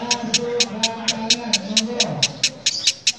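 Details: A female lovebird's rough, engine-like cackling: a regular chug of hard, buzzy clicks roughly four per second, with a low human voice murmuring behind.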